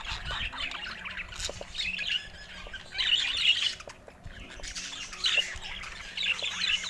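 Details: Budgerigar warbling arrives in separate bursts of high, scratchy chirps and squeaks, each a second or two long, with softer chatter between them.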